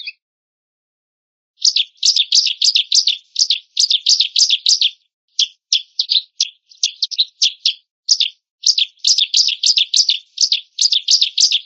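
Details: Singing white-rumped shama with an admired voice: after a silent start, rapid runs of sharp chattering notes repeated in dense clusters, broken by short gaps, high-pitched and energetic throughout.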